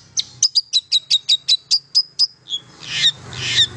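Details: Long-tailed shrike song for prompting silent shrikes to sing: about eleven sharp high chirps in an even rapid series, followed by two rough, rasping notes.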